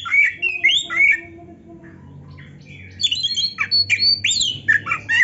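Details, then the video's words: Oriental magpie-robin song for stirring rival magpie-robins into singing: bright rising and falling whistles at first, a quieter stretch, then a busy rush of clear, varied whistled notes. "MASTERAN KACER GACOR ISIAN MEWAH ‼️ - AMPUH BIKIN KACER LAIN CEPAT PANAS"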